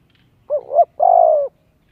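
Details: Coo of a spotted dove kept to lure wild doves and train young birds: a brief two-part wavering note, then a sustained, gently descending hoarse coo; quiet surroundings.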